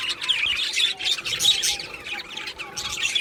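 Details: Budgerigars in an aviary colony, July 2025, giving harsh squawks and quick chirps in separate bursts, a little quieter and more spaced out than full flock chatter.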